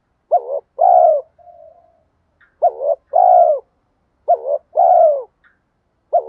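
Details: Spotted dove cooing to lure wild doves (kích bổi), 2024. Deep phrases repeat about every two seconds. Each is a quick stuttered double note followed by a long, rough, falling coo, with a soft murmur after the first phrase.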